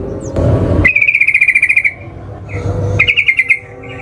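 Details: Yellow-vented bulbul (trucukan) singing as a lure to trigger other birds to sing: two fast, even chattering rattles at a steady bright pitch, each about a second long, with low background rumble.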